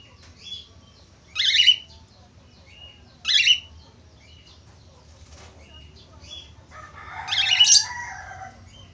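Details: Budgerigar calls used to stimulate other budgerigars to sing: sharp rasping chirps repeated roughly every two seconds, soft twitters between, and a longer, noisier scratchy burst near the end.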